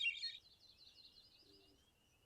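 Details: A Hermit Thrush, a woodland bird, gives its rich, melodic song, one quick, high, fluty phrase of tumbling notes that rings out and fades into a long echo. A faint low hum sits underneath.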